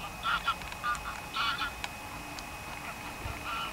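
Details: Geese belly-landing: several short nasal honks in quick uneven clusters, a few overlapping, then quieter scattered calls over constant rushing background noise.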